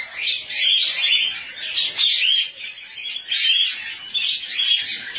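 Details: Cockatiels mating for the first time, giving continuous harsh, raspy chattering with scratchy squawks that rise and fall in loudness throughout.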